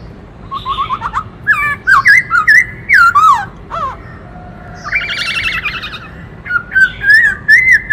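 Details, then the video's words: Varied song of a black-throated laughingthrush performing while dancing, switching between many voices: rising whistled notes in rapid series, clear looping whistles, a harsh buzzy burst in the middle, then more fluting whistles. "Khướu bạc má hót múa - Chim khướu hót đảo nhiều giọng hay kích bổi - Tiếng chim Khướu hót"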